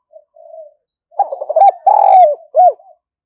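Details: Very spirited spotted dove decoy: soft short coos open the phrase, then it builds into loud, rough, rolling coos ending in a sharp downslurred note.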